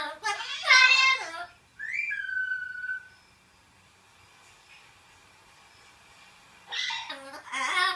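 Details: A 10-year-old male yellow-shouldered amazon, recently adopted, excitedly vocalizes indoors while watching videos he loves: a harsh, speech-like burst, then a clear whistle that slides up and holds level, and a final chattering phrase.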